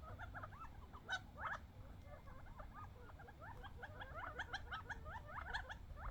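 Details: Wild quail, just months old, fighting over bird seed after coming off the desert; steady soft twittering of many small hooked chirps from a group of birds, with occasional sharp clicks and quiet low background noise.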